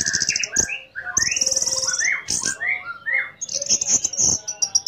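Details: Orange-headed thrush song, used to provoke another orange-headed thrush into singing: high sustained buzzy whistles alternating with rising slurred notes and sharp clicks, delivered in quick succession.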